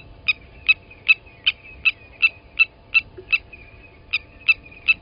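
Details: Blacksmith lapwings, Djuma Game Reserve, South Africa, around an adult killing a nest chick: clean sharp clinking notes repeated some thirteen times with a brief pause near the end, little else audible.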